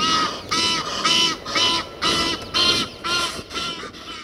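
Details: An Egyptian goose, one of a group of 50 to 80 in Kensington Gardens, London, in December 2012, some perched high in a tree, gives a run of harsh, nasal, braying honks, about two per second, over a low murmur.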